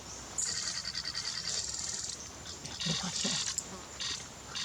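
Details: Club-winged manakin at Milpe Bird Sanctuary, Ecuador, giving high, buzzy, ringing notes in short repeated bursts, with a few faint low sounds in the background.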